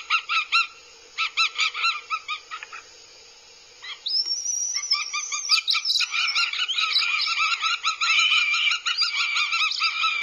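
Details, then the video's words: Aggressive northern goshawk chicks at a nest in Abernethy, Scotland, in 2022 give harsh, high, stacked begging calls, first in short bursts, then a loud overlapping chorus of rising and falling squeals. "CHICKS AGGRESSIVE. NORTHEN GOSHAWK."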